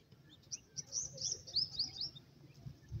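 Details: Grey francolin chicks playing in grass keep up a soft chatter of high, thin, slurred chirps in quick succession, over steady low-pitched background noise.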